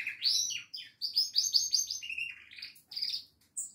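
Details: Goldfinch song, a quick sequence of liquid slurred notes, rapid repeated twitters and a buzzy phrase, with short gaps between phrases.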